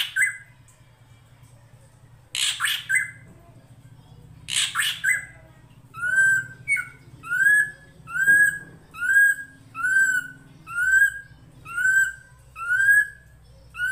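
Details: Drongo song made as a master recording for training songbirds: two harsh rasping bursts, then a steady series of ringing, rising whistled notes repeated about every 0.7 seconds, over a low background of flowing water.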